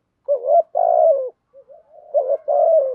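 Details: Spotted doves, male and female, calling to rouse birds being trained: a brisk short coo, then a long vibrating purred note, a brief soft pause and faint notes, then the same two-part coo again.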